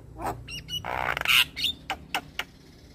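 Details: Black-winged starling singing, a recording meant to stir listless or stressed starlings into song: harsh broadband squawk bursts, a bright whistled note and sharp clicks in a short varied phrase.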